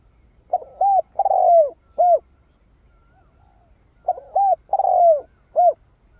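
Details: A spotted dove sings to attract wild birds to a decoy: soft, resonant coo phrases, two brief notes, one long descending coo and a short ending note, repeated twice in a still setting.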